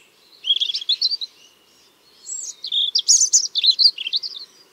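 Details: European robin singing on 30 March 2023 in Tsaritsyno park, Moscow, where robins nest; several robins sang at once and chased each other, most likely migrants, one possibly holding territory. High, rapid, varied twittering phrases in two bursts separated by a pause.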